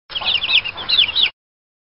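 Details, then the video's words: Baby chicks in a farm chicken coop give a quick burst of shrill, overlapping peeps, each sliding up and down in pitch, lasting just over a second. "chick peeps"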